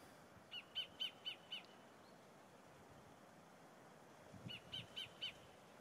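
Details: Sacred kingfisher calling from a tree in forest on the west coast near Auckland, New Zealand: two bursts of sharp, harsh 'kek' notes, about four per second, over a low hum of distant traffic.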